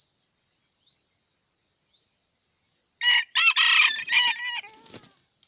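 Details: Red junglefowl from Aceh: faint thin high chirps early on, then a loud harsh crow of a few rapid stacked bursts lasting about two seconds, trailing off in softer notes.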